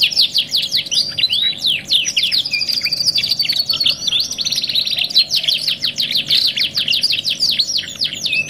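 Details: Canary from a 2-in-1 tutor recording singing nonstop: rapid varied whistles and sweeps, a thin high trill around the third second, then dense chattering phrases to the end.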